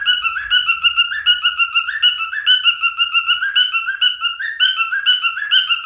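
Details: Male cockatiel, a pet parrot, singing: a steady run of quick whistled notes alternating between two pitches, rising and falling in a warbling pattern, about two per second, continuous with no pauses, in a quiet indoor setting.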